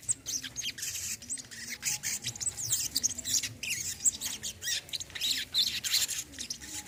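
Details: Olive-backed sunbird singing, used as therapy to get a bird that has stopped singing to sing again: a dense, scratchy stream of high chirps and squeaky notes with constant busy twittering and little pause.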